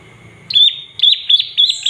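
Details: Olive-backed tailorbird calls meant to excite other birds into singing: four loud, high, clipped chirps with flat tops and quick drops, spaced about a third of a second apart after a moment of quiet.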